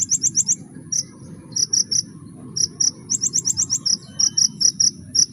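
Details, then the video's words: High, piercing trilled phrases from a kolibri ninja sunbird singing full 'nembak', fast staccato notes grouped into short bursts roughly every half second, above a faint low rumble. "kolibri ninja full nembak"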